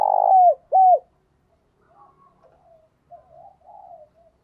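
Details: Spotted dove used as a decoy bird, giving loud calls to lure wild doves: two strong, deep coos with a falling end in the first second, then faint, softer murmuring notes.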